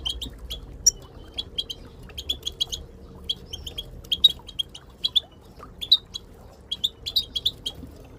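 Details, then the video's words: A female Moroccan goldfinch and companions giving group calls intended to encourage silent goldfinches to sing: rapid bright twitters in short clusters roughly every half second, a few sweeter whistled notes, over low background hum. "ترويض طيور الحسون بتبتات المقنين لتحفيز المقنين بتبت حسون للتدريب"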